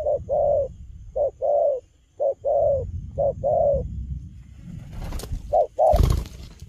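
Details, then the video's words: Stuttering cà lăm lỡ cooing from a young wild-caught spotted dove in moult: short clipped notes each followed by a longer hoot, repeated in pairs, ending under bursts of rustling and knocking noise. "Bổi tơ gù cà lăm lỡ, đang mùa thay long mà quá hăng"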